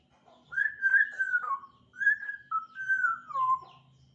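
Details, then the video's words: African grey parrot starting to chirp, producing drawn-out tonal whistles that waver and glide downward, in two long phrases about a second apart. "Burung African grey berkicau"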